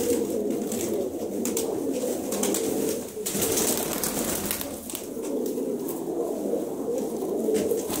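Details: Pigeons of a good breed held indoors for sale as a whole lot; continuous low cooing from many birds blends into a droning hum, broken by sharp rustles and taps from movement in the loft.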